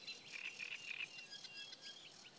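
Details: Great reed warbler singing by the Kyjovka stream at Lanžhot on 15 May 2016: a run of harsh, grating, chattering notes repeated in quick succession, with faint background hiss.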